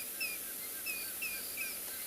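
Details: An African grey hornbill, apparently a male with a mate nearby, calls at sunrise in the Tswalu Kalahari Reserve, South Africa, in January: thin, high whistled notes, each slightly falling, about three per second, over steady hiss, before the pair flies off.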